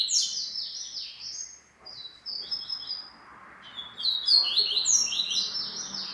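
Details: Double-collared seedeater singing a fast, twittering phrase of sliding, buzzy high notes, briefly pausing around the middle before resuming with sharper, brighter trills; faint low background hiss.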